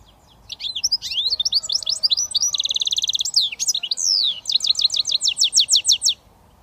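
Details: Goldfinch mule (British finch hybrid) in a long switty phrase: rapid varied twitters, a buzzy rattling trill, a sweeping downslurred note, then a steady run of about a dozen repeated sharp chirps.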